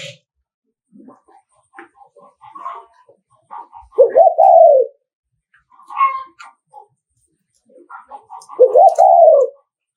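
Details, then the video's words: Nghệ An spotted dove decoy in 'thúc gù' style, a coo meant to excite and lure rival males: deep rolling coos that start with a quick stutter and ease into a long falling note, two phrases about five seconds apart, with soft clicks and chirps. "Tiếng Chim Cu Gáy Thúc Gù"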